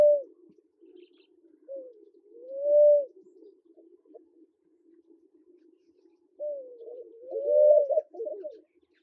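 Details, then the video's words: Namaqua dove calling in Kenya, soft low hoots: short notes swell into a longer rising, mellow hoo at about three seconds, then after a pause a wavering series of hoots builds and fades, over a quiet low murmur. "Namaqua Dove, male, female and call"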